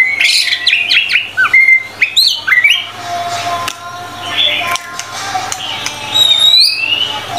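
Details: White-rumped shama training song with many notes: rapid chirps and squeaky whistled fragments at first, then a quieter stretch of soft warbles and a high rising whistle near the end, with a faint hum throughout.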